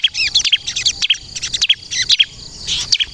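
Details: Energetic bar-winged prinia song, 'kristal' style, meant for luring and prompting other prinias to reply: a short, high chirpy phrase repeated about twice a second, each burst of bright twitters ending on a clear note.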